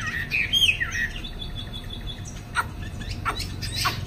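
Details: Chinese hwamei in a cage, afternoon, flaring its wings: a quick sequence of bright looping whistles in the first second, then quieter high notes and several sharp clicks spaced roughly every half second.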